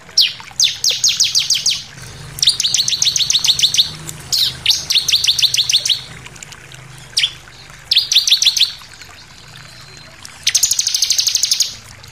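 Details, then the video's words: Sunda pied fantail giving a forceful shooting song with variations, meant for tutoring captive birds: bursts of rapid, high, evenly spaced descending notes in trills of about a second, with a dense buzzy high phrase near the end. "SUARA CIBLEK NEMBAK NGOTOT + VARIASI"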